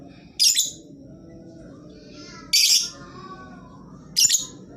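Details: Lovebird lure audio meant to get birds that are slow to sing calling. Three harsh, piercing squawks arrive about every two seconds, with faint chatter and a steady low hum between them.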